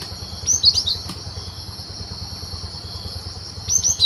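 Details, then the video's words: A cinereous tit in the wild, recorded as a lure for bird trapping: a quick cluster of high, sharp notes, a long pause, then a second short burst, over a continuous insect drone and faint low rumble. "Suara Burung Gelatik Batu Di Alam liar Super Gacor"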